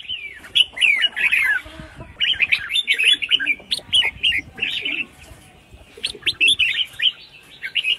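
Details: Female red-whiskered bulbul calling to prompt males to sing, giving dense, continuous runs of chattering, warbled phrases with only brief pauses and a faint low background rumble.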